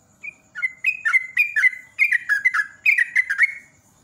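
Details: Vigorous ropel singing of a sooty-headed bulbul, used as a lure: a dense, continuous chain of liquid, gurgling, downslurred notes, delivered rapidly in small clusters for over three seconds.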